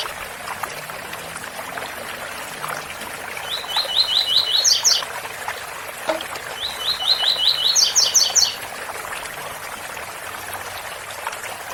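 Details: Waterfall sound runs under a double-collared seedeater's tui-tui song. Two well-separated phrases of rapid repeated chips each rise to high, piercing end notes, with a faint single note between them.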